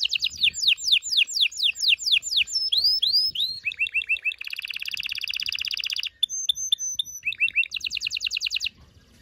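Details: Continuous loud canary song to prepare females and males for mating: repeated falling sweeps, clipped chips, a dense buzzy trill, bright short notes and a final quick descending series.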